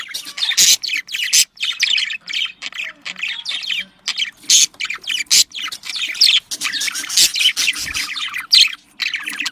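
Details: Constant, busy budgerigar warbling for breeding stimulation: layered chirps, squawks and trilled notes run almost without pause, loud and scratchy, with a low hum beneath.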